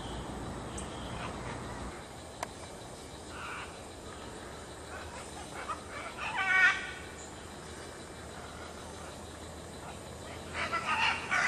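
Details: At Grand View Estates, great green macaws give scattered harsh, grating squawks, one mid-way and a cluster of loud rough calls near the end, over a constant low hiss.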